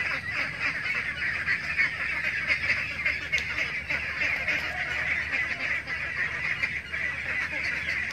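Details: Many ducks in a pen, young ducklings and laying ducks included, keep up a thick, unbroken wall of rough quacking and chattering calls for eight seconds.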